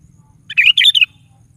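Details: Sooty-headed bulbul singing eagerly in the morning, to provoke a pet bulbul to answer: a single bubbly phrase of three liquid notes over a faint low hum.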